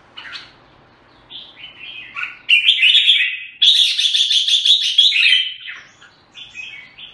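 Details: Red-whiskered bulbul, known locally as jambul, from Singapore, singing: short chirpy notes, then loud warbled phrases with a rapid run of bright repeated notes in the middle, ending in softer chirps.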